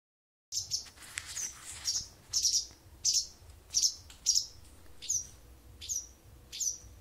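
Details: A wild bird singing to an indoor cat, as it has every morning and evening for almost a month: short high chirps with a sharp downward sweep, repeated roughly every half second, steady faint low hum beneath.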